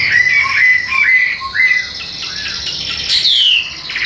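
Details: Tame Chinese hwamei kept in a cage in Vietnam sings while carried by hand: a few clear, level whistled notes, a softer pause, then one bright falling whistle.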